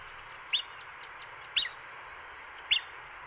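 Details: Black-bellied Whistling-Duck with ducklings at Sonso Lagoon near Buga, Valle del Cauca, Colombia: three sharp, high whistled calls about a second apart, with soft thin peeps in between, likely from the ducklings.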